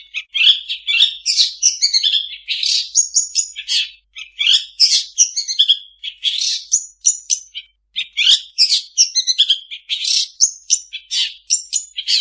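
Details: Long-tailed shrike pouring out a dense, almost unbroken stream of varied chirps, harsh squeaks and whistles copied from other birds, loud and high-pitched throughout.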